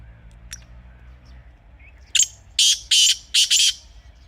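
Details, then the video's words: Black francolin, a wild bird recorded in a natural setting in Pakistan and used as a hunting call, gives a harsh grating phrase of one short note then four loud raspy bursts, after faint quiet background. "Real Kala Teetar Sound 2026 | Best Teetar Voice for Hunting | Original Bird Call"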